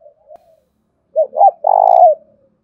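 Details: Spotted dove used as a lure bird, giving a fighting call in the thổ pha voice style: two short rising coos, then a long buzzy rolling coo that fades, with a soft faint coo before it.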